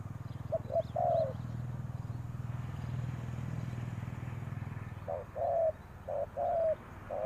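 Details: Spotted dove used as a decoy to call wild doves; brief runs of low coos at the start and end, short notes and longer slurred ones, with a loud engine droning through the middle.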